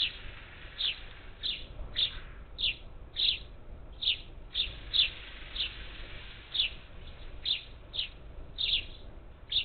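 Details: Up to ten parakeets at a Gulf Coast bird feeder on the outskirts of Houston, Texas, on 27 July 2021, giving short, sharp, high chirps, about fifteen in ten seconds at an uneven pace, over a low steady rumble.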